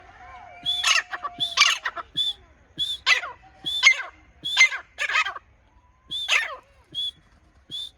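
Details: Grey francolin, locally called grey teetar: loud, harsh, repeated calls in bursts of rising strokes, roughly one every second, with some faint sharp whistles between.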